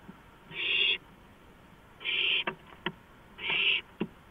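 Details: Night recording of an owl on a porch, April 5, 2015, 2:05 AM: three loud drawn-out hisses, each followed by crisp clicking.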